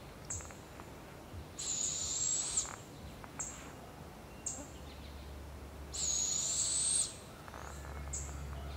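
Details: Barred owl and her young, wild in Canada; two prolonged rasping hisses several seconds apart, interspersed with short thin high chips and soft clicks, against a low constant hum.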